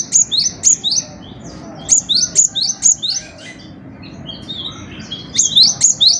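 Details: Cinereous tit (gelatik batu) singing steadily for songbird training: crisp high double notes in quick series of four or five, a softer twittering lull, then another brisk run.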